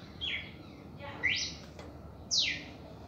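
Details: Red-crested cardinal, reaction song: three sweeping whistles about a second apart, a falling one, a steeply rising one and a strong high downslur, over quiet background noise.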